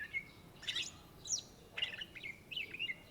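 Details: Greater green leafbird (cucak ijo) in vigorous song, a short burst of rich whistled notes and chattering trills, high and lively, with faint hiss behind.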